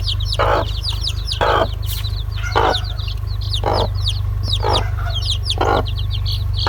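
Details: Chicks calling nonstop, their thin descending cheeps overlapping, while coarse clucks land roughly every second. A persistent deep hum runs beneath.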